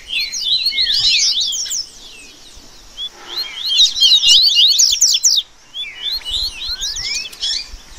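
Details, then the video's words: Rusty-collared seedeater baderna used for song training: bursts of rapid, overlapping high chirps and trills separated by short lulls, with a couple of clear rising whistles in the final seconds. "Esquente Seu Coleiro Que Tem Fibra!!! Baderna Top Para Manejo De Canto e Fibra!!!"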